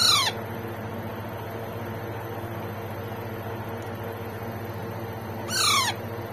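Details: Alexandrine parakeet baby being fed: a clipped squawk right at the start, then after a long quiet gap one full harsh call falling sharply in pitch, with a low steady hum behind.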